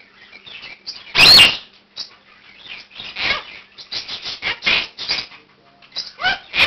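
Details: Indoor Quaker parakeet, a year old, calling at 7 am as a morning wake-up, rehearsing learned words and phrases with other birds in the room joining; one loud harsh burst, then rapid scratchy chirps and squawks.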